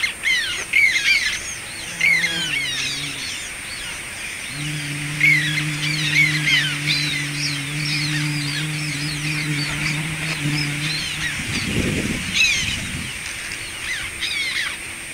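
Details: A black tern (Chlidonias niger) chick practising flight near its breeding raft gives short, harsh, squeaky calls in quick overlapping bursts, over a steady low engine hum with a dull thump near the end.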